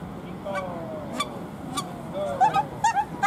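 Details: Captive red-crowned crane at Ueno Zoo in Tokyo, Japan. Short, clear honking notes repeat quickly in the second half, following lower drawn-out tones, with a background murmur of people's voices.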